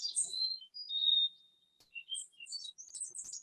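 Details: A Varied Thrush in northern Washington forest along the Pacific Crest Trail gives a long, level tuned whistle fading over about a second, amid quick high chirps and twitters from other birds.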